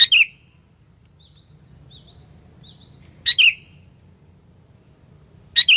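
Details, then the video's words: Sooty-headed bulbul lure song meant to stir up rival bulbuls: a loud, bright two-part phrase, a sharp note then a slurred falling chirp, repeated about every three seconds, with faint high twittering from other small birds between phrases. "Burung Kutilang Pikat Gacor Fighter, Paling Jago Mendongkrak EMOSI Kutilang LAWAN"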